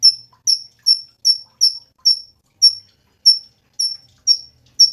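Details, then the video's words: Crisp, high-pitched Cungkok chips, each sharply attacked and briefly trailing off, repeated roughly every 0.4 seconds in a lively series. "SUARA BURUNG CUNGKOK SUPER GACOR"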